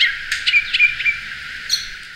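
Black-throated Grosbeak giving a quick run of clear, high whistled and chirped notes, some slurred, over about two seconds, with a faint low hum beneath.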